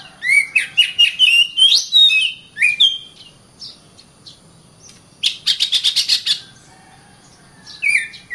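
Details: Oriental magpie-robin singing a varied series of loud clear whistles and sliding notes, broken by buzzy rapid rattles and quick repeated chips, with short pauses between phrases.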